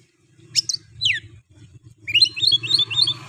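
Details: Oriental magpie-robin lure song aimed at rival males, over a constant low hum: two sharp downslurred notes, then a run of quick looping chirps.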